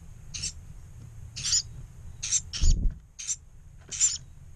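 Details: Two surviving Carolina wren chicks in a disturbed nest inside a pump-house on 1 May 2018, shortly after mealworms were set out; six hissy, high raspy begging bursts about every half to one second, with low rumbling background noise.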